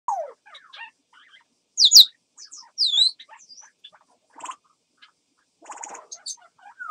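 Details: Captive African grey parrot producing a special crow-like sound: scattered short whistles and sweeping notes, a loud sharp squawk near two seconds, downward-curving whistles, then buzzy pulsed bursts and a rising whistle at the end.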